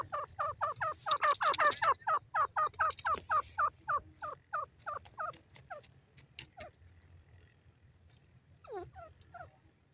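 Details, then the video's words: Grey francolin calling from a cage: a fast, even string of short downward-sliding notes that slows and fades after about six seconds, then a few softer notes, with a low steady hum beneath. "dakhni teetar pinjray pr boli karta ha, irani teetar awaz"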